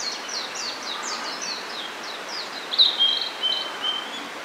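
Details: Blue-and-white flycatcher, a summer visitor newly arrived in spring at Hakone, Japan: a run of short descending high notes, then clear whistled phrases and thin sustained tones toward the end, over steady rustling background.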